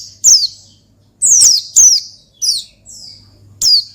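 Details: Oriental white-eye song in the 'ngalas' style used to provoke a rival: five or six loud, high, downward-sweeping whistled notes, some doubled, with brief pauses and a faint low background hum.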